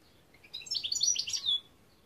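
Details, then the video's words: Short burst of goldfinch song, a quick jumble of liquid twittering notes building in loudness and closing on a clear drawn-out whistle, lasting just over a second. "Chant Chardonneret"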